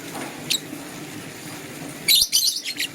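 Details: Green and blue lovebirds in the morning: a single sharp high chirp, a pause, then a quick cluster of harsh, scratchy high chirps over a faint steady background hum.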